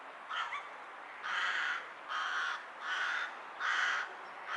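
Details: Strange hiccuping call of a rook: a brief hiccup note, then four drawn-out hoarse caws spaced roughly a second apart, each rasping and even in pitch, against faint constant background noise.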